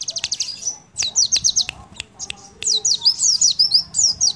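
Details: Crimson sunbird song used as a lure so other birds start singing, loud and clear: quick high trilled runs, sharp clicking notes, and a rolling series of twisting whistled phrases.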